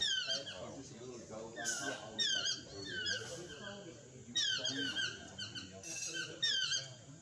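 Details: Chestnut-mandibled (yellow-throated) toucan in Costa Rica giving bursts of squeaky, yelping notes, several in quick series every couple of seconds, over soft background voices.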